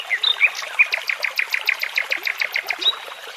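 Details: Nightingale in woodland by a babbling brook: sharp rising whistled notes introduce a brisk, regular string of repeated chirps, about six a second, closed by a high whistle.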